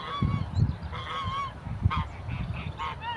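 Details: Aggressive African geese chasing people, giving nasal honks in overlapping bursts over heavy low rumbling noise.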